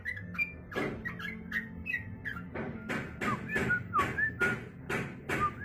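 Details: Yellow-vented bulbul (trucukan) delivering its 'jog-jog' style song: clear whistled and slurred notes, some sharply falling, mixed with loud repeated knocking or tapping sounds and a low background hum.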